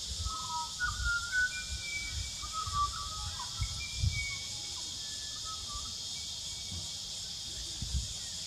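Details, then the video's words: Fluting song of the Pied Butcherbird in New South Wales, Australia: soft whistled phrases, some level and some sliding, in a mid-high range, over a steady high insect hiss and low rumble. "Song of the Pied Butcher Bird"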